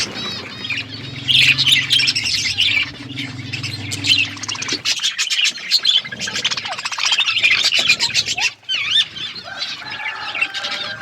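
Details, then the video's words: Budgerigars in an outdoor aviary, a dense flock chattering with warbled, squeaky high chirps and trills throughout, plus a low steady hum in the first few seconds. "Budgies in my outdoor aviary birds chirping sound"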